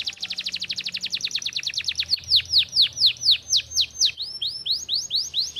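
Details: Canary in vigorous song: a fast trill of rapid down-slurred notes, then slower, louder swooping whistled phrases about four per second, all high-pitched and continuous.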